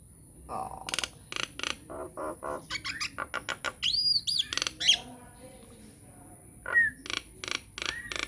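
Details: Energetic Nias hill myna lure song meant to make other mynas reply: a long, uneven series of short harsh squawks and clucks, with a few thin high whistles and brief upslurred notes.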